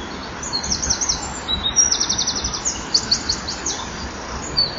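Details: Eurasian wren singing from a hole in the middle of a nesting wall at 18:29 on 11 October 2011, a rapid, very high trill of fast repeated notes in bursts, over steady background hiss.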